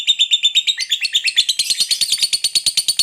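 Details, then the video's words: Lovebird in a long chattering song that prompts other birds to sing: quick, rhythmic high chirps around three per second, the notes growing denser and buzzier toward the end. "Masteran Love Bird ngekek Panjang || pancingan ngekek langsung gacor"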